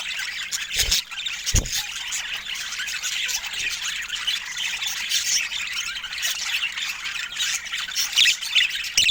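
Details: Continuous budgerigar chatter, a thick wash of high twittering and scratchy warbled notes from several birds, with two loud thumps early on.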